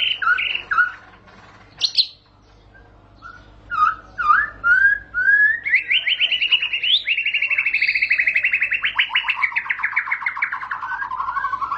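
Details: White-rumped shama, a champion bird in long rolling song: scattered clear whistles and sharp high notes, then a sustained buzzy trilled phrase with rapid repeated pulses that slowly falls in pitch; steady low hum in background.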